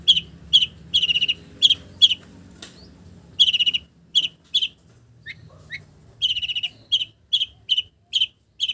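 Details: Long-tailed shrike song filled with imitations of village birds: bright, clipped chirps repeated in quick groups, a pause of about a second, then more rapid chirp clusters.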